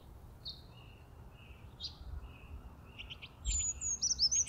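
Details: Brown Creeper singing in spring in Coast Range foothill forest, a very high-pitched song: a thin, bright warbled phrase near the end, after scattered faint high chips and notes from other birds over low background rumble.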